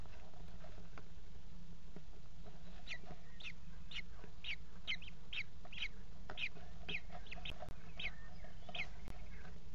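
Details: Begging from four Common Kestrel chicks in a nest box while their mother feeds them and stores leftover prey, late afternoon, 28 June 2016; a long insistent series of shrill, slurred squeaks, several per second, over steady background hum.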